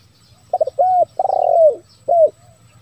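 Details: Zebra dove lure call for attracting wild doves: quick stuttering opening notes, then a long trilled, rolling coo and a final drawn-out coo, low and mellow, over a faint hum.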